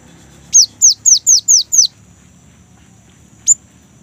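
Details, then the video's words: Rolling song of a young great tit, used as a lure for kept birds: six clear downslurred whistles in a fast even run, about four per second, then one lone high upswept note after a pause. "GELATIK BATU MUDA GACOR | Glatik Ngerol Untuk Pancingan Gelatik Batu"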